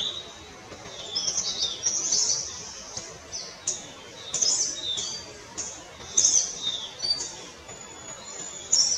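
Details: Palani laughingthrush, named as a subspecies of the Kerala laughingthrush, heard in a series of high squeaky whistles and chattering notes repeated irregularly, roughly two dozen bursts a minute, with faint clicks between.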